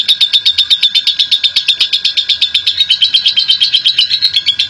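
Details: National champion lovebird delivering ngekek, the long chattering song meant to lure other lovebirds into singing; shrill, grating notes stutter in quick regular pulses, almost three a second, continuing evenly from start to end.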